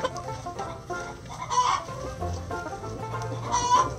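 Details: Chickens in a backyard coop at morning feeding, giving soft repeated clucks and two louder, drawn-out calls with noisy bursts, over a steady low hum.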